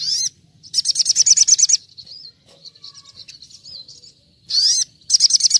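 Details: Little spiderhunter in 'nembak' song, recorded for bird training to mimic the wild: bursts of rapid high machine-gun notes alternating with a softer wavering twitter and a loud upswept squeak.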